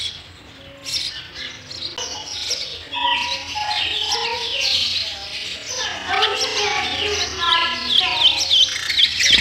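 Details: Nestling sparrows being fed in the nest: busy high chirping that ends in a quick series of short, sharp, repeated chip notes, over soft voice-like background sounds.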